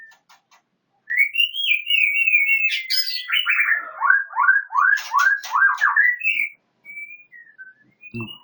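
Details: White-rumped shama of the Medan type from Indonesia singing a rich phrase: a whistled rising and falling opening, then a rapid series of looping, descending notes about five seconds long, ending in short soft whistles and a click.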